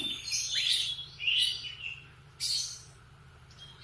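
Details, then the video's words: Morning canary phrases: brief high whistled notes and short rising and falling trills, spaced by pauses, with a low background hum. "Kicauan kenari di pagi hari"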